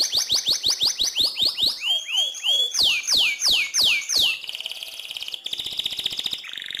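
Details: AFS canary singing a long rolling song as a tutor for white-rumped shamas: fast falling whistled notes, then broad swooping slurs, ending in a dry buzzy rattle and a high trill.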